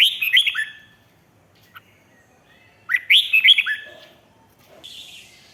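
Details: Two quick phrases of warbling, whistled red-whiskered bulbul song, riik style from Thailand, played to rouse other birds; each phrase has several loud, dipping notes, separated by about two seconds of near silence and a faint later chirp.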